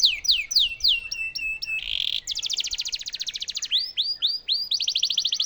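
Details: Canary song meant to teach White-rumped shamas. A string of falling whistled notes is followed by a buzzy burst, a long even rolling trill, then repeated arched sweeps and another fast roll.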